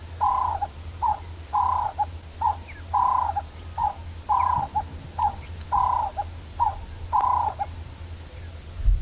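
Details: Cape turtle dove sitting and calling on a clear winter sunrise drive, late June, Djuma game reserve, Sabi Sand, South Africa: a rhythmic, hoarse three-note cooing phrase about every second and a half, over a steady low engine rumble.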